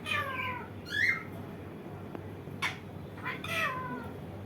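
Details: Indian ringneck parakeet giving a falling, nasal, vowel-like call, a short squeak, brief sharp chips and another descending drawn call, heard indoors with low steady background hum.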